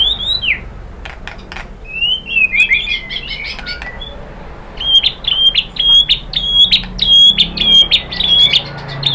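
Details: White-rumped shama song used to provoke other birds into singing: a few sliding whistles and a jumbled twittering burst, then a fast series of sharp, high, clipped notes repeated about twice per second.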